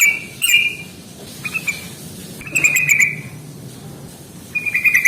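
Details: Yellow-vented bulbul rattle-style fighting song (ngalas tarung), played to prompt lazy birds to sing. Several brief buzzy trilled bursts, some faint, over a steady hiss of background noise.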